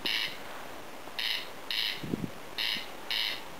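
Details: A corn crake hidden in tall grass near a home in Lääne-Virumaa, Estonia, falls silent when approached; it gives a dry, rasping double 'crex-crex', each harsh pair repeated about every 1.5 seconds, with a faint low murmur behind.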